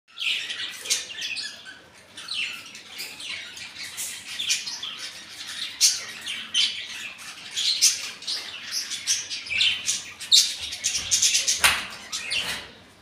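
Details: A busy chorus from a colony of Indian ringneck parrots and budgies: high, sharp chirps and squawks overlapping from many birds.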